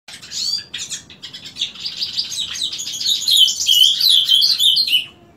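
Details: Ultramarine grosbeak singing in the morning, a song heard daily from 7 am: a fast, rich warble of high, sliding whistled notes that builds into a continuous twittering phrase, after a few short chirps. Background otherwise quiet.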